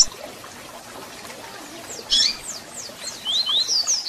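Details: Double-collared seedeater song used to excite a captive bird: faint high downward slurs, a sudden sharp chirp, then a brisk series of bright rising whistles toward the end, over constant soft hiss.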